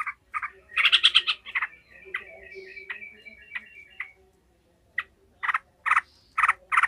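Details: Yellow-vented bulbul, described as a lively, enraged singer giving emotional cackling, used to train other bulbuls for fighting: loud harsh bursts, a run of short whistled notes, then spaced rasping bursts after a pause.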